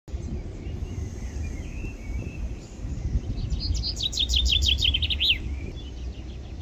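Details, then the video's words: A chaffinch gives one bright, two-second spring song on the banks of the Adige river, Vallagarina, Trentino: a quickening run of descending notes ending in a short flourish, over a steady low rush of flowing water. "UCCELLINO FRINGUELLO con il suo CANTO PRIMAVERILE"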